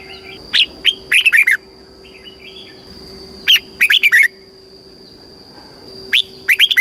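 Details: Red-whiskered bulbul kept caged in Thailand, singing a southern master-style phrase played to excite caged birds and train young ones. Three short clusters of quick, liquid whistled notes a few seconds apart, over a constant faint hum.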